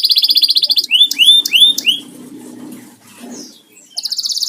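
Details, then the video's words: Canary kept as a house bird: a tight rapid trill, three loud descending swooping whistles, a quiet pause with faint low background noise, then the fast trill resumes. "burung kenari buat nemenin ngopi"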